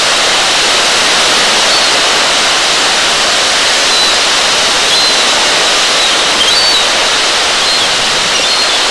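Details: Loud, constant hissing noise like rushing water fills the whole recording, with no animal sound.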